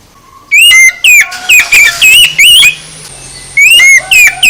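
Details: Oriental magpie-robin song used as a provoking track: a rapid string of bright, slurred whistles, with a brief lull in the middle and a faint low hum behind it.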